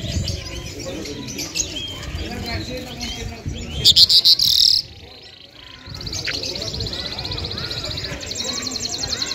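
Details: Afghan lark, the Lunda Mashadi jal, in full song: dense buzzy high trills and chattering phrases, a burst of loud rapid notes midway, then a short pause before a steady rasping trill resumes.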